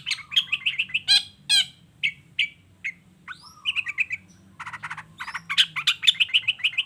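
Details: Energetic long-tailed shrike song meant to make other shrikes reply: bursts of quick buzzy, trilled notes separated by short gaps, single harsh sweeps and a brief whistled phrase, building into a dense chatter at the end.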